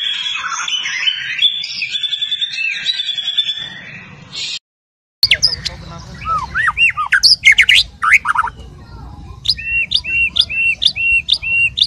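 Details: White-rumped shama singing in fighter style, each bird said to have its own fighting and singing manner: a harsh buzzy jumble, a short silence, then loud clear whistles and a run of repeated arched notes.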